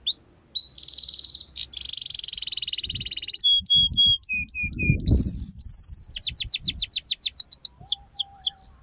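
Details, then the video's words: Canary song for training young birds in the ngeriwik sound: varied sequence of buzzy held trills, pure steady whistled notes repeated in threes, then rapid clicking rolls and a quickening chain of chips, with soft low knocks. "Suara PANCINGAN Kenari Paud Belajar Bunyi Ngeriwik"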